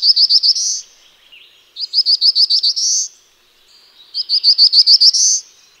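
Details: Black-throated blue warbler singing three phrases, each a run of six to seven short buzzy notes near 4–5k ending in a longer rising buzz, with pauses of about a second between; background otherwise quiet.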